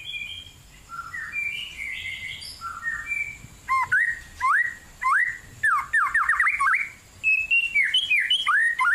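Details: In a cool forest, a White-rumped shama sings persistently: gentle flowing warbles, then a run of strong upslurred whistles repeated roughly every half second, closing with sweet high phrases.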